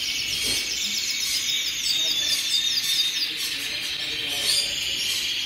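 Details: Hundreds of colorful canaries singing together, a dense, unbroken wash of high twittering trills and rapid chirps layered without pause, with a brief low murmur near the start.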